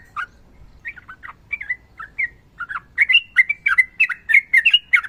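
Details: Sooty-headed bulbul in lively long rapid 'ropel' song, used as a training recording for reluctant singers: sparse bubbly whistled notes at first, then a denser run of quick, slurred, rising-and-falling phrases with sharp clicks.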